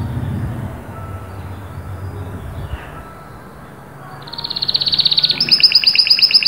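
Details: Domestic canary singing; low rumbling background noise for several seconds, then a fast high trill of rapidly repeated notes bursts in and grows louder, stepping up in pitch near the end.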